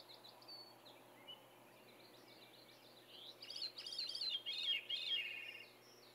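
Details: Veery singing despite cold weather on a June morning, 14 June 2020, at Saint-Antonin, Québec: after soft distant chirps, a rolling, flutey phrase of quick looping notes spirals downward, repeated rapidly for about two seconds.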